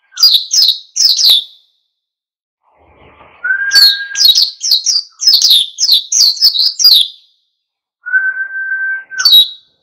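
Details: Oriental white-eye singing vigorously to provoke other birds to join in. Rapid volleys of high, downward-slurred chirps run in long strings, broken by a sustained level whistle at lower pitch.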